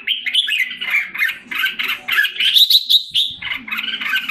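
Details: A caged red-whiskered bulbul in Singapore, filmed 7 July 2017 during recovery of health and form, sings a quick sequence of clear whistled and chattering notes, climbing toward the middle and then dropping back, over a light hum.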